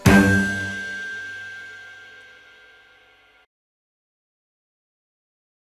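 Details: A single metallic clang rings out and fades over about three seconds, followed by silence, with no animal voice.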